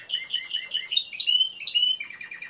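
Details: Timbrado canary song made of evenly spaced chirped notes, then high bright whistles and sweeps, ending in a quick run of short repeated notes.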